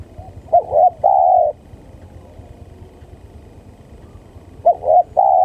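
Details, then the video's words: Very vocal spotted dove used as a trapping lure: a double short coo then a long sustained coo, repeated about four seconds later, with quiet background between phrases. "Suara Pancingan Tekukur Pikat||Yang sangat gacor"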